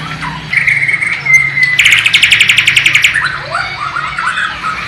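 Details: East Kalimantan captive Bornean white-rumped shama singing a learned sikatan londo and nightingale imitation, low-resolution camera: a flat sustained whistle, then a fast rattling trill of about twenty notes, followed by softer downslurred phrases.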